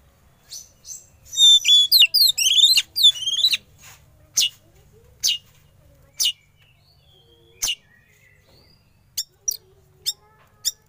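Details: Young forest-caught Oriental magpie-robin, kept as a hobby bird, during a sauna therapy session; a two-second burst of rapid, varied whistles and chattering trills, then scattered sharp single chips at irregular intervals over a quiet background.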